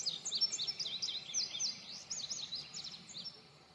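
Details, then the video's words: Indigo bunting singing a quick run of high, thin, sweet notes, many in pairs, with sharp down-slurred and up-slurred strokes, lasting about three seconds before fading, over a soft background hiss. "Indigo bunting song / call / sounds"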